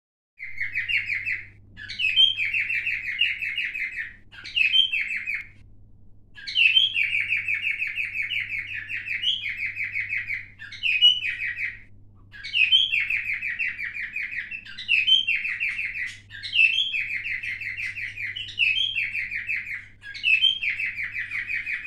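A cockatiel chatters in quick bursts of chirps with short rising whistles, every couple of seconds.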